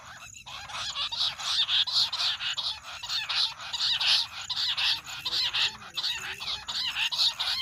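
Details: Several jungle bush quail in a noisy chattering chorus, a sound used for hunting; harsh, overlapping notes swell and fade in waves, several times per second, with a steady high whine behind.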